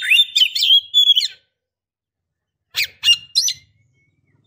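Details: Female Oriental magpie-robin in breeding condition calling a male: a burst of squeaky, warbling chirps lasting over a second, a long silence, then three sharp staccato squeaks.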